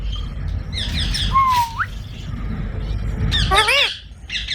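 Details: Green parrots at a maize feed: a grating squawk, a clear upslurred whistle, then a cluster of harsh stacked screeches, over a steady low background rumble.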